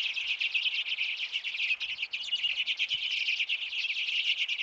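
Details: A flock of Common and Hoary Redpolls crowding hanging and platform feeders in a residential backyard in Manitouwadge, northern Ontario, in winter, 6 March 2018, keeps up a dense, nonstop twittering of high, buzzy chips and trills, many birds calling over one another.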